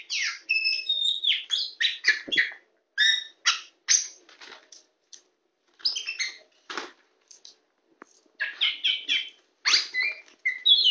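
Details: Tame white-rumped shama singing from a hand, a long busy stream of varied whistles, rapid chattering notes and harsh buzzes with brief pauses between bursts.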